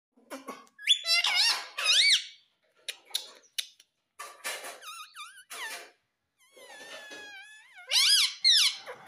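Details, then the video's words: Talking parrot, said to speak the words "Mummy Papa": bursts of squeaky, nasal, strongly rising and falling syllables, some wavering, in quick irregular runs with short pauses between phrases. "Mummy Papa Bolne Wala Parrot || Cute Parrots || Talking Parrots"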